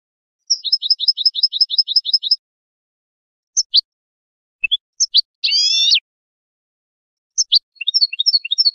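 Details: European goldfinch song in short bursts: a fast run of paired high chirping notes, then scattered single twitters, a brief buzzy rasp and a final twittering phrase, separated by silent pauses.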